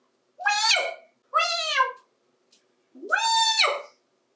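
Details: Twenty-eight-year-old adopted African Grey parrot indoors, saying "Hi" in different voices learned partly from a cockatoo: three long, bright, arched "Hi-iii" calls, each rising then falling, separated by short silences.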